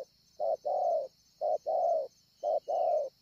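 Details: Scar-chested wild-caught spotted dove cooing at Ngọc Hồi, 25 March 2020. Three even pairs sound, each a short soft note then a sustained round coo, about one second apart, beneath a continuous high-pitched hiss.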